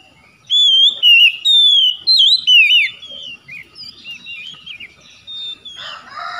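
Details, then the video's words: Oriental magpie-robin, a caged kacer, delivering rich whistled song: long clear slurred notes and quick rising-falling twists, loud at first then softer, varied phrases toward the end. "KACER NGEDROP MACET BUNYI LANGSUNG GACOR"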